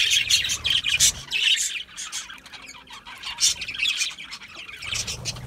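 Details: Feeding budgies, calling in harsh squawks and chirps that come in irregular clusters, with a few soft wing flutters in the background.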